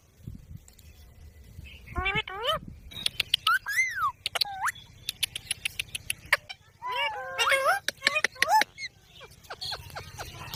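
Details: Green parrot making sliding whistled, voice-like phrases amid many rapid dry clicks and taps, with bursts of chattering syllables in the second half.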